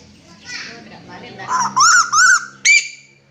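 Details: A red-eyed kuwu bird calling loudly: after low murmuring voices, three harsh, ringing, slightly rising squawks in quick succession, the last sharper and shorter.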